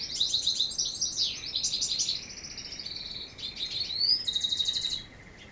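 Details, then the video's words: A European goldfinch sings its evening song at dusk, a fast, liquid, high twitter of tinkling and buzzy notes with a rising nasal trill near the end; at times nearby canaries' songs partly cover it. "Το βραδινό τραγούδι της καρδερίνας"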